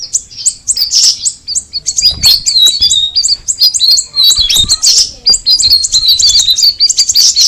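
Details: High, rapid chattering song of a straw-headed bulbul: a continuous string of sharp chirps and short rising and falling whistles, with scattered louder bursts and soft low knocks beneath.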